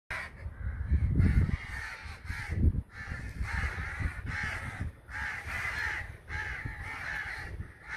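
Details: Crows near a house, described as attacking it: harsh repeated cawing in overlapping bursts almost continuously, with heavy low rumbling handling or wind noise, loudest in the first three seconds.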